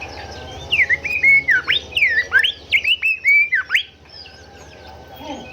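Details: Golden whistler song used to train caged songbirds: a bright series of sharp, whistled up-and-down notes, rising and falling quickly, about a dozen in under four seconds, then fading to a soft background chorus of birds.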